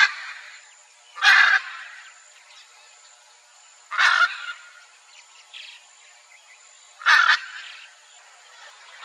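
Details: A pair of wild hyacinth macaws in Brazil, calling to each other, gives three loud, harsh, grating squawks about three seconds apart, with softer calls between and a faint steady high whine behind.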